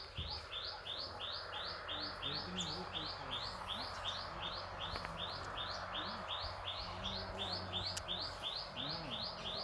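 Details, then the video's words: Farm birdsong: quick high chirps repeat in an even run of nearly three per second, while faint lower warbling notes and background rumble sit underneath. "Birds singing in my farm"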